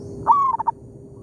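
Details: Zebra dove in an oil palm plantation, exchanging calls with a decoy: a single short phrase, a sharp rising slur held briefly and then broken into three rapid, bubbling coos.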